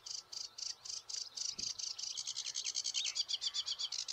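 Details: A noisy sedge warbler (Acrocephalus schoenobaenus) in reeds at St Fittick's Community Park, Torry, sings a fast, high chatter of harsh repeated notes that speeds into buzzy trills and squeaky whistles; a faint low thump briefly.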